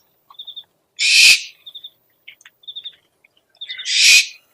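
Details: Owl calling used as a lure: two loud, raspy, broadband screeches about three seconds apart, separated by bursts of short, high, rapid triple chirps and faint clicks.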